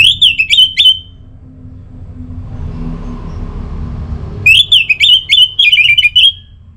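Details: Energetic orange-headed thrush song, used to trigger other thrushes, particularly males, into loud singing, North Bali: two runs of rapid, choppy whistled warbles at the same pitch, a few seconds apart, with low hum between.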